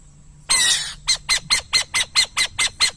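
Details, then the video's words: Burrowing owl screeching in a loud half-second hiss, then launching into about nine short, rasping notes at a steady quick rhythm. "som de pássaro a coruja de buraco"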